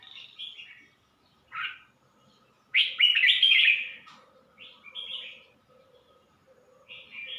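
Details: Red-whiskered bulbul at Suan Phueng, Ratchaburi, singing short bright warbled phrases, with a loud rich burst of rapid notes in the middle and softer phrases before and after, separated by brief pauses, over a faint steady hum.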